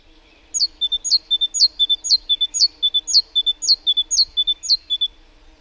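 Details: Great tit singing its two-note type, likened to the word teacher: a bright high note sliding down, then a lower steady note. The ringing pair repeats about nine times in five seconds at an even pace, with no other birds audible.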